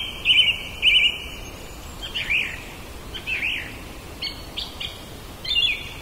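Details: Common blackbird (Turdus merula) singing in a back yard: short, wavering whistled phrases, clear and fairly high, given in loose bursts over steady faint background hiss.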